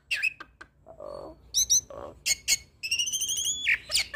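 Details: Hybrid starling in full varied song full of imitations, meant as a tutor for Asian pied starlings and other songbirds; sharp high chirps, low nasal honks, buzzy rattles and a sustained steady whistle that ends in a quick upward flick.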